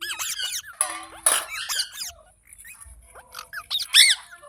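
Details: Green parrot, called mitthu, giving a rapid series of shrill chirps and squeaks with sharp rising and falling notes, a harsh burst in the middle, then a short gap before more high squeaky calls.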